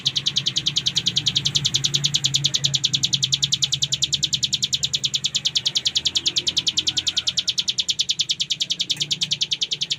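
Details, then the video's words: Ciblek gunung singing 'full ngebren': a long, unbroken, machine-like stream of high, buzzy chip notes repeated very rapidly and evenly, with a soft low hum beneath. "Cigun Gacor Full Ngebren"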